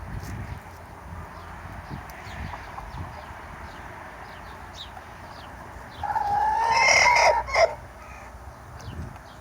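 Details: Rooster crowing in the morning, a single loud, strained cock-a-doodle-doo lasting about a second and a half, set against soft background clucking and rustling.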